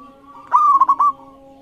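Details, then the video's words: A local zebra dove sings a lure phrase meant to prompt other birds to answer: a drawn-out resonant coo followed by three short bubbling notes, over a soft steady background hum. "Masteran Perkutut Lokal Gacor Iramanya Mengundang Lawan Bunyi"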